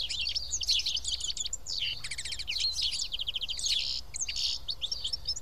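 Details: Sociable house sparrows feeding together at Karyotissa, Greece, chatter nonstop: dense rattling runs of chirps and twitters overlapping from several birds.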